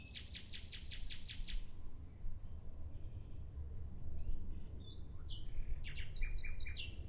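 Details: Common nightingale song opening with a rapid series of hard repeated notes for about one and a half seconds, followed after a pause by varied whistles and sharp chirps, with steady low background noise.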